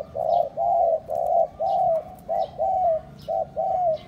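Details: Spotted dove luring call for attracting other doves: loud, close, rhythmic coos roughly every half second, each a warm note that often bends downward at its end. Scattered faint high chirps from other birds behind.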